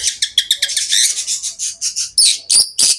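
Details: Pet lovebirds in a rapid, continuous stream of harsh, high chirps, about three per second, ending with three louder, rasping squawks.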